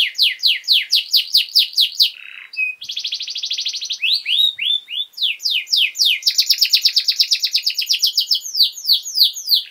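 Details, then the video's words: Canary master song for young birds: a run of downward sweeps, a brief dip, a dense fast trill, more sliding whistles and a long, rapid repeated-note trill to the end. "Canary Singing!Masteran Kenari Gacor Durasi Panjang 1 Titik Bagus Untuk PAUD Cantante Canario Actual"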